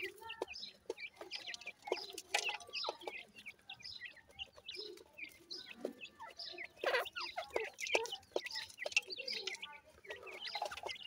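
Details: A brood of grey francolin chicks (bhura teetar) keeps up a steady chorus of high, squeaky peeps and short chirps over eleven seconds, mixed with occasional sharp taps and handling noises.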